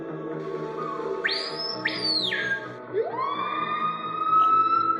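White bellbird calls: two loud, high ringing notes, then a long rising, siren-like whistle held steady, with music playing softly underneath.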